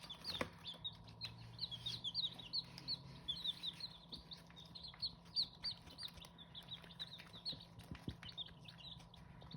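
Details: Hmong chicken (Qaib Hmoob) chicks peeping constantly, high thin peeps tumbling over one another in a busy overlapping stream, with a steady low hum underneath and a faint electrical whine.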